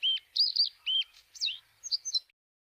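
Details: Bluethroat (Luscinia svecica) delivering a short burst of high, sweet, tinkling notes mixed with twangy slurred sounds, ending in quick chips before falling silent.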